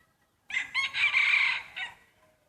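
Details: One rooster crowing during a crowing contest of breeding cocks: a hoarse cock-a-doodle-doo with two quick opening notes, a long sustained middle and a short falling ending, lasting about one and a half seconds.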